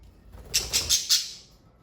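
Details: A pet budgerigar gives four quick, harsh, scratchy squawks in a fast even series, each about a fifth of a second apart, then stops.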